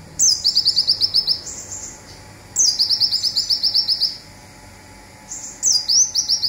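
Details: Local olive-backed sunbird in Indonesia giving its rapid "zipper" song, used as a master recording for training songbirds: three bursts, each a high downslurred note followed by a fast buzzy rattle of about ten clipped notes, separated by short pauses.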